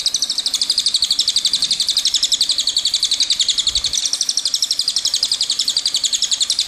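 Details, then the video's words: Long rolling song of a cililin, a continuous rapid series of high, sharp chipping notes repeated about four times a second, sustained for the whole stretch without a break. "Suara Burung Cililin Gacor"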